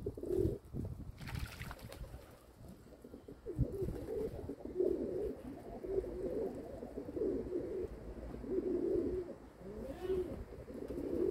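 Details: Rhythmic throaty coos from domestic pigeons, repeated roughly once a second in pulsing bursts after an opening few notes, with some rustling and a soft trickling background.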